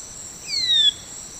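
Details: Manakin from Brazil, a tropical forest bird: a single clear whistled note sliding gently downward, lasting about half a second, over a steady high insect-like drone.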